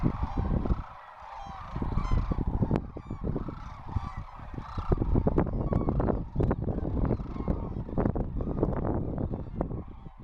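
A large flock of sandhill cranes calling together, a dense overlapping chorus of loud, rolling, trumpeting rattles with a steady low rumble beneath.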